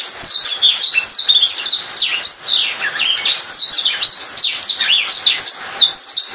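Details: A black-throated canary sings without pause, a lively stream of high chirps, down-slurred whistles and quick trills.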